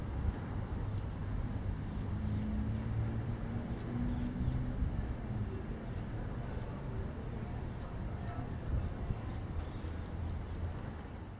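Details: Common blackbird fledgling begging, fed plum by the male; high thin squeaky calls repeated roughly every second or two, sometimes in quick clusters, against continuous low rumbling noise.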